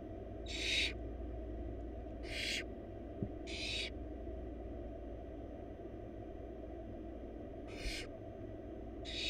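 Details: Four wild barn owl chicks in a nest box while being fed a large rabbit by the female: five raspy, snoring hisses, spaced irregularly with a long pause midway, over steady low electrical hum and a faint click.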